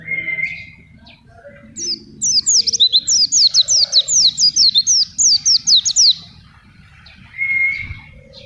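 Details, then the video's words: Oriental white-eye singing energetically on a banana diet, meant for tutoring young birds and luring wild ones; a long rapid string of about fifteen high zigzag chirps, framed by a softer drawn whistle before and after. "Pleci Gacor Tanpa Doping Cukup Pake Pisang Siap untuk masteran burung pleci ngalas gacor siap pikat"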